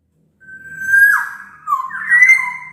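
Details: Black-naped oriole in vigorous song, recorded as a lure to prompt quiet orioles to sing: a long level fluted whistle dropping into a slurred lower note, then a second rising, warbled whistle.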